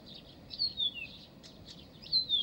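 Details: A short burst of Blyth's reed warbler song recorded in Pavlodar. High rasping notes are broken by two bright whistles that glide downward.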